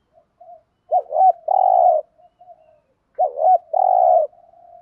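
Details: Spotted dove decoy cooing in the 'gù thúc' style to stir up wild birds: a soft lead-in note, a quick double hooked coo and a long steady hollow coo, the whole phrase repeated twice.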